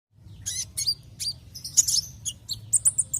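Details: Javan white-eye used as a lure to make other white-eyes sing: sharp high chirps and short twittering notes in quick irregular bursts, with a low steady hum underneath.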